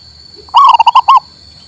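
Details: Single song phrase of a local male zebra dove, played to get a mute bird singing: a soft note, then a rising coo and a rapid series of pulsed coos, closing on a drawn-out note.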